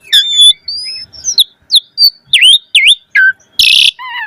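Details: Asian pied starling singing as a lure for starlings: level and rising whistles, repeated V-shaped swooping notes, a low slurred whistle, then a harsh noisy burst and a descending warble.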